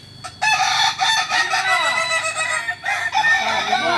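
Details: Kukuak Balenggek (Kokok Balenggek) rooster at a joint training session in Ampang Kualo, Solok city, West Sumatra. The rooster gives a long, loud harmonic crow lasting about three and a half seconds, broken into several wavering, stepped syllables after a short faint opening note.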